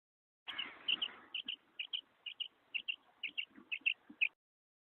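A female quail gives high, sharp double notes, about eight pairs in quick succession, roughly two pairs per second, over a faint rustling background.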